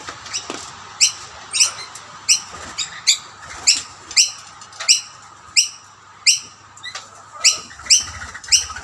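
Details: Rainbow lorikeets competing at two plates of snack, a dominant male chasing off birds outside his family; sharp, grating screeches repeated roughly twice a second in a steady series, with faint wing noise.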